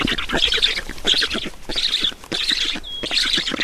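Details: At a black stork nest in Estonia during feeding, 10 June 2019 around 12:52, bursts of hoarse chattering squawks come in short runs separated by brief gaps, with a thin whistled note near the end.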